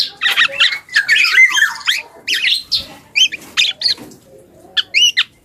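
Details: Immature black-and-yellow oriole rehearsing song: busy scratchy chatter and squawks at first, then spaced short whistled phrases separated by quiet gaps.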